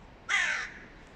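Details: Hooded crow, mate of the dominant bird, urging an attack on a young crow; one drawn-out, raspy caw that fades gradually, with nothing else clearly heard.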